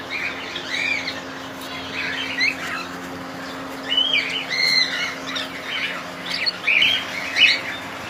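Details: Cockatiel colony with overlapping squawks and whistled, upward-bending calls from several birds, growing busier toward the end over a faint steady hum.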